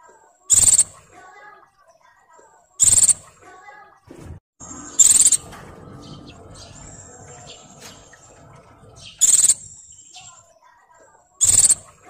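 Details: Oriental white-eye female in breeding condition calling males, giving loud, high, buzzy trilled bursts every two to two and a half seconds, five in all, over steady low background noise and faint hum.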